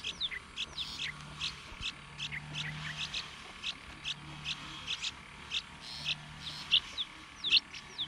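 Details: Hungry yellow-vented bulbul chicks being fed by their mother in the sun; short high chirps and thin downslurred squeaks come in irregular bursts, about 75 a minute, over a faint low intermittent hum.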